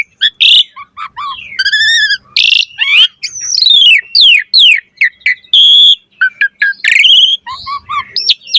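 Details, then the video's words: Singing Asian pied starling puffing up in display, delivering a dense medley of downslurred whistles, harsh rasping bursts, and quick chirps with barely a pause between phrases. "Jalak Suren Gacor Mompa Full Variasi Ocehan"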